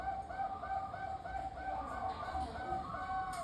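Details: Local zebra dove singing as a lure to set other zebra doves singing in reply: quick, soft cooing notes repeated about three times a second against steady background hiss.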